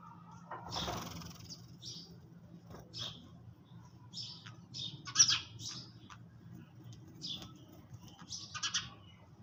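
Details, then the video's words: Sparrows feeding in the early morning give short, high chirps in loose bursts, some doubled and clustered, over a soft low background hum. "Sparrows _ little birds_ chirping sound"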